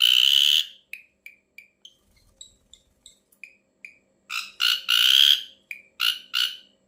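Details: Ashy drongo giving a strange call: a loud harsh buzzy burst, then a run of short clipped chip notes about every third of a second with a few thin higher notes, ending in another cluster of rasping notes.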